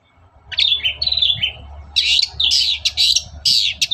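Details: Long-tailed shrike singing in the morning as a lure for other shrikes: warbled whistled phrases give way to loud, scratchy chattering bursts over a low background hum.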